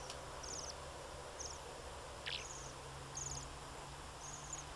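Bohemian waxwing giving thin, high, trilled 'sirrr' calls, about six short bursts over a few seconds, over a low steady rumble.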